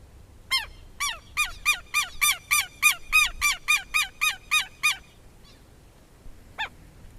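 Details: Southern lapwing (quero-quero) from Brazil giving a loud, harsh series of about fifteen strident, ringing notes in rapid succession over four seconds, then a pause and one more isolated call; faint background hum.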